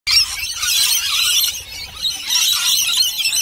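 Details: Several lorikeets squabble over a bowl of nectar and honey mix, filling the air with dense, shrill, grating screeches that overlap continuously with barely a pause.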